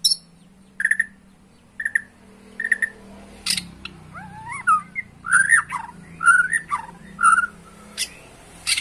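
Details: White-rumped shama lure song, used to make a caged shama sing insistently and show its full repertoire: short clear whistled notes near two per second at first, then looping, rising and falling fluty phrases, with a faint low hum behind.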